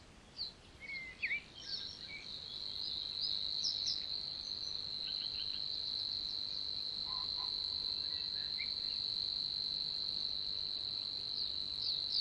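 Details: Recorded in June 2020 in Puszcza Niepołomicka, Poland, a Savi's warbler gives a long, even, insect-like high reeling buzz that starts after a couple of seconds and continues without a break, with scattered chirps and whistles of other birds.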